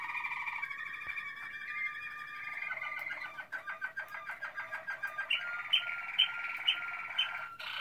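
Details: Malinois Waterslager canary recorded in 2016: a low hollow rolling trill shifts into bubbling pulsed phrases, ending with bright clipped notes repeated roughly every half second over a steady tone.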